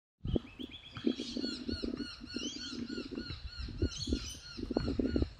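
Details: Australian magpie (Gymnorhina tibicen telonocua) giving rich, fluting, warbled notes that overlap and tumble over one another, with low thumping and rumbling noise underneath.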